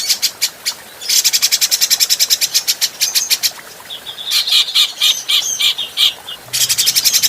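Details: Adult grey-cheeked bulbul recorded for training other birds: rapid dry rattling chatter, a middle passage of warbled whistled notes, then the harsh rattle starts again over a brief low hum.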